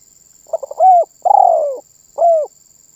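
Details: Cooing spotted dove, said to prompt other birds to call: short choppy notes lead into a sustained falling coo, with a last short coo after a pause. Faint steady high whine behind.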